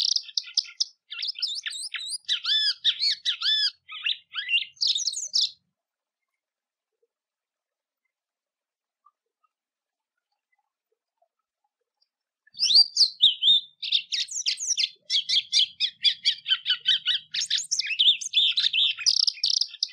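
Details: Golinha (white-throated seedeater) song for teaching and warming up young birds: a burst of fast high chirps and whistles, about seven seconds of silence, then a long, energetic run of rapid twittering notes.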